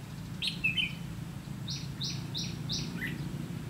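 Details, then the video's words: Red-whiskered bulbul singing in ché style during trapping with a decoy bird, recorded 30 May 2016; a short burst of warbled, chattering notes, then a steady series of flat, high, evenly spaced pulses from another source. "Bẫy chào mào lăng săng ché-cánh"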